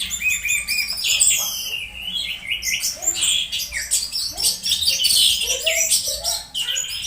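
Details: Orange-headed thrush (anis merah) uttering strange sounds while being conditioned, a lure to get other birds singing; continuous busy stream of very high chirps, trills and scratchy notes without a break.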